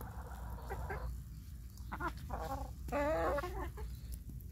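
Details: Chickens on a rainy day, being given corn, utter soft low clucks followed by a louder drawn-out, wavering nasal call near the middle, with low background rumble.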